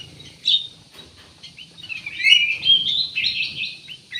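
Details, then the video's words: Persistently singing ruby-throated bulbul (kutilang emas), played as a lure to get other birds singing: a sharp opening note, then a long, lively warbling phrase of bright whistles and chirps, with another sharp note at the end. "CUCAK EMAS \ KUTILANG EMAS GACOR, BUAT PANCINGAN 100% AMPUH"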